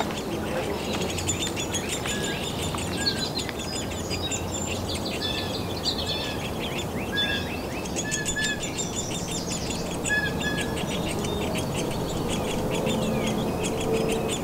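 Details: Downy Woodpecker nestlings, at least three, hidden in a nest cavity begging as two adults, including the male, make repeated feeding visits in late May and early June 2023; dense, rapid, high chattering chirps in bursts over a steady outdoor noise floor.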